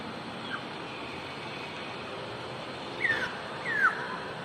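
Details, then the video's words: Wild black-naped oriole singing: two loud slurred whistles sliding downward, about half a second apart, near the end, over a steady hiss of background noise. "Burung Kepodang Kicau Burung Merdu"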